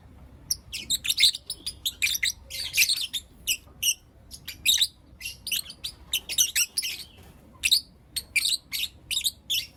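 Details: Blue Opaline and Lutino Opaline lovebirds chirp through the morning in a steady stream of brief, high, scratchy notes and short rasping bursts, packed closely with hardly a pause.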